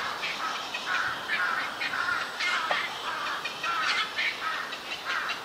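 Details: Young black-crowned night heron in a mixed cormorant and heron colony, bird island at the junction of Yokojukken Shinsui Park and Sendaiborigawa Park, June 1, 2023: a rapid run of rasping, chattering bursts, nearly continuous, over background hiss.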